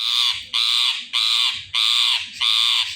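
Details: Loud, harsh screeches from an Indian ringneck parrot, five long rasping calls in steady rhythm, each about half a second, with brief gaps and soft clicks between.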